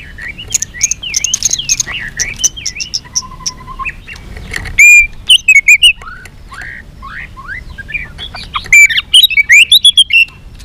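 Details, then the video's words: White-rumped shama in fighting song with many voices: a long, varied medley of twittering, slurred whistles and short chips, some louder bursts of sharp notes, over a low background hum. "chòe lửa hót đánh đuôi thái độ.kích chòe lửa hót đấu. chòe lửa hót nhiều giọng căng lửa"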